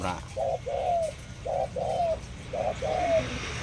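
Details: A young captive Spotted dove that has only just begun calling coos in soft low phrases: a short coo then a longer, slightly rising croo, repeated about every second over a faint low hum.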